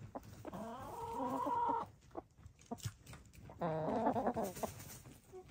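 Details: While dust bathing, gray, lavender, blue and black hens give two long, quavering, harmonic croons about two seconds apart, with faint scratching of dirt between them.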